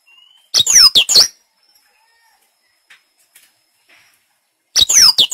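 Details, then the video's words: {'text': 'Black-throated canary lure song for coaxing another bird into singing: two short bursts of fast, high, sharply sweeping notes separated by about four seconds of near silence with a few faint ticks.'} "Pancingan blacktroat agar cepat gacor"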